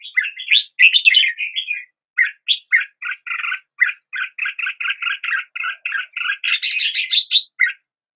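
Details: Morning song of a red-whiskered bulbul, a long run of short chirped notes delivered rapidly and unevenly, ending in a louder, harsher burst of notes.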